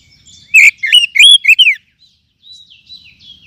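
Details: Oriental magpie-robin (kacer) song, used as a lure recording to stir settled and young captive kacer into singing: a loud burst of varied rich whistled and chirping notes lasting about a second, then softer thin descending whistles after a short pause.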